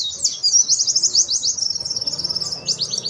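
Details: A white-eye pours out a high, thin, rapid twittering warble, unbroken for the whole three seconds, over a faint low background hum. This is competition-standard master song used to train and provoke young white-eyes.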